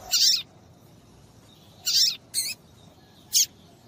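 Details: Female papa-capim (Double-collared Seedeater) calling to get males singing: four short, very high, sharp chirps at uneven intervals over a quiet background.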